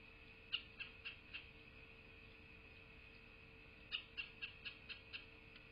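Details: Bald eagle at a nest in southwest Florida, captured by a nest camera on 8 November 2023 around midday: two bursts of thin, high piping notes, each a quick descending series of four to six chirps, separated by a pause, over steady electronic hum.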